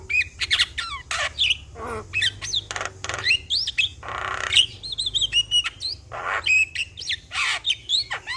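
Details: Excited, stressed Javan myna in vigorous vocal display, meant to be played routinely to prompt other birds. Harsh grating squawks alternate with sharp whistled upslurs and chirps in fast uneven bursts.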